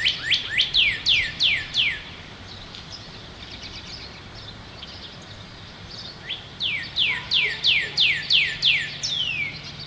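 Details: Northern cardinal singing on the first day of spring 2011: two phrases of clear, steeply falling whistles, each a quick run of about seven slurred notes, separated by a few seconds of quiet.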